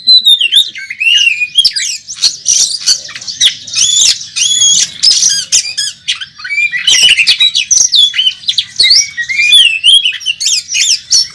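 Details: Kacer, the Oriental magpie-robin, in contest fighting form, a long stream of harsh squawks, sharp clicks and wavering whistled phrases, loud and nearly continuous.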